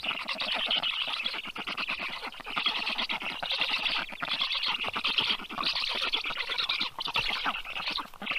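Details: Early morning at a black stork nest in Karula National Park, southern Estonia, 30 June 2023, with fish delivered to the chicks; a sustained stream of scratchy, squawking pulses, fast and continuous, swelling and fading in waves.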